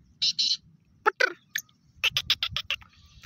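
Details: Black francolin, locally called Kala Teetar or Sheedi Teetar, kept as a pet: two short harsh high bursts, a pair of rasping notes, then a fast series of about seven clipped, buzzy pulses, with low background rumble.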